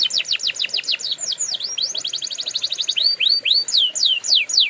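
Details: Canary training song: a rolling series of quick down-slurred notes, then a tight rapid trill, followed by slower, upward-curving whistles repeated several times.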